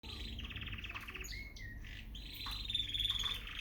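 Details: Canary song featuring gray frill back and yellow canaries in Peshawar: rolling high trills, a short descending whistle and buzzy rattling notes over a steady low background rumble.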